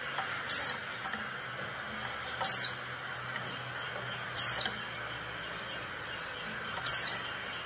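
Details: Oriental white-eye female calling to provoke silent males into singing, as happens in the wild; brief thin downward-sweeping notes spaced roughly two seconds apart, four heard, with faint constant background noise.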